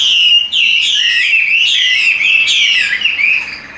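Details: A caged Chinese hwamei, tame and sung while carried by hand, pours out bright descending whistled notes joined in a smooth, even flow that fades out at the end.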